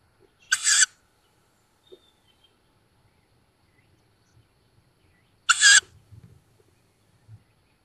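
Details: Newly fledged tawny owls at a nest in woods near Szokolya, Hungary, in May 2022, recorded by a nest camera: two short, harsh hissing wheezes about five seconds apart, with faint scratches between.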